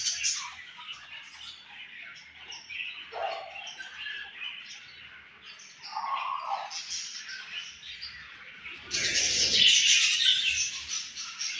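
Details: Pet budgerigars, home-bred, with a baby; rambling twitters and squeaky notes, a few lower nasal calls, and a sudden loud, harsh chattering burst near the end.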